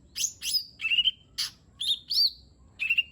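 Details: Brief excerpt of a lesser green leafbird's lure song: four or five sweeping whistles, some dropping steeply and others level and tremulous, separated by short gaps.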